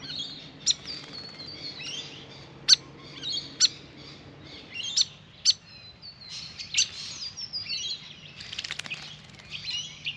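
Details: Grey fantail at a birdbath during a long bath: high, thin, tumbling squeaky twitters run almost continuously, punctuated by sharp snapping chips every second or so, with a faint low hum early on.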